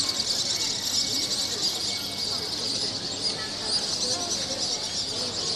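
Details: At dusk over Corfu, a huge flock of swallows chirps while diving through the air: countless shrill, overlapping twitters form an unbroken high chatter, with faint low background rumble.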